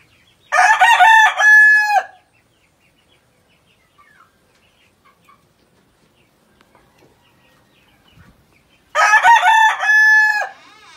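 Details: Two full crows from an Ayam Cemani rooster, the all-black chicken breed, each harsh and drawn out for about one and a half seconds, separated by some eight seconds of quiet with faint distant sounds.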